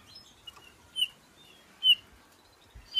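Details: Calling male bullfinch: brief soft piped whistles, about one each second, with faint chirps between them against a quiet background.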